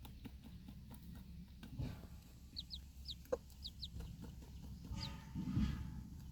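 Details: Backyard mother hen with her four young chicks at outdoor feeding time, alert after a dog's barking startles the flock; faint high descending chick peeps come in small bursts over steady low rumbling background noise.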